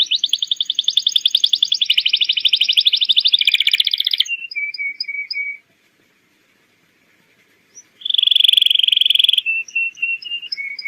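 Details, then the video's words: Lively canary song used as a lure to train young birds: rapid high buzzy trill, then a row of short whistled notes, a pause of silence, and another fast trill with trailing whistles. "PANCINGAN BURUNG KENARI GACOR UNTUK PAUD AGAR CEPAT NYAUT"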